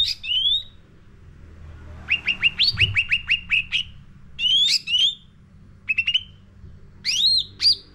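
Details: Sooty-headed bulbul lure song for caged birds: an opening whistle, then a steady series of about nine crisp chirps, followed by warbled slurs and short chirp bursts.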